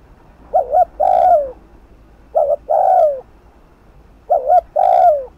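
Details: Spotted dove cooing fast in 'thúc gù' style to rouse decoys: three evenly spaced phrases, each a brief two-note start and a long, mellow coo sliding down in pitch.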